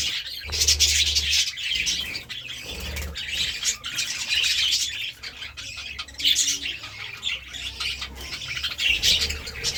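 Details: Feeding budgerigars mix harsh squawks with quick chirping warbles, several birds overlapping in uneven bursts, over a low humming background.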